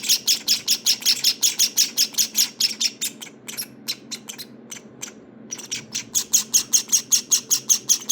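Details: Java sparrow nestlings at day 19, growing fluffier, giving high, sharp begging chirps in a rapid regular series, about two or three per second, with a brief pause near the middle before the chirping resumes.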